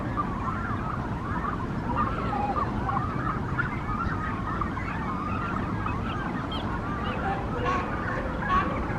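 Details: Nesting Brandt's cormorants at their Monterey colony during a morning visit: a crowded babble of rippling, wobbling calls with a few sharper notes, set against a strong low-pitched background roar.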